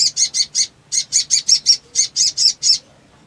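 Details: Black sunbird in excited song: a steady series of about a dozen harsh, buzzy high notes, each roughly a quarter second apart, with one short pause near the start.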